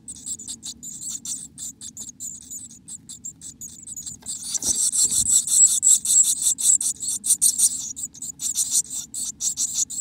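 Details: Black-capped chickadee calls from inside the nest: rapid, thin, high-pitched squeaky notes, about three per second, softer for four seconds, then swelling into a louder, nearly continuous chatter over a low steady hum.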